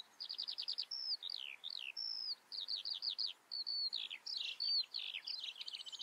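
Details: Eurasian skylark singing: a fast, continuous run of high trills, slurred downward whistles and buzzy repeated notes, barely pausing across six seconds.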